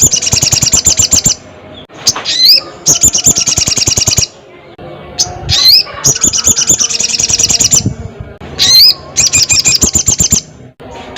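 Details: Crested jay calling a rival, repeating rapid mechanical rattles, each lasting one to two seconds, broken by loud rising whistled notes and short pauses, in several cycles.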